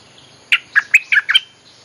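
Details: Bulbul lure song for calling wild birds: one brisk phrase of five liquid, slurred chirps, bright and evenly spaced, over faint background hiss.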